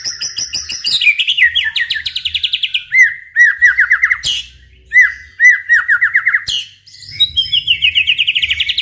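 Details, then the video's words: White-rumped shama (murai batu) in full song, used to provoke other shamas into singing: rapid varied phrases, high whistled notes near the top alternating with descending slurred trills around the middle, series of repeated rising notes, faint low hum beneath. "MURAI BATU GACOR COCOK UNTUK MEMANCING MURAI SUPAYA RAJIN BUNYI AUTO NYAUT IKUTAN GACOR | SHAMA BIRD"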